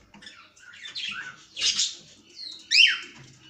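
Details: Cockatiel giving a few harsh, scratchy squawks, each rising then falling, with a brighter chirped note near the end and pauses between calls.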